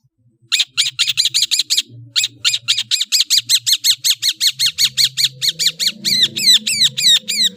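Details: Long-tailed shrike giving a fast run of identical harsh, high chip notes, nearly three per second, ending in a few downslurred squeaky whistles; faint low background hum underneath.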